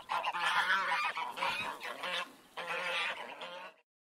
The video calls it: Goose Noises